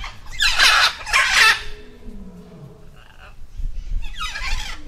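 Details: Peafowl giving two loud, harsh, squawking calls in quick succession, rich in overtones, followed by a quieter pause and a fainter rough call near the end over a low rumbling background.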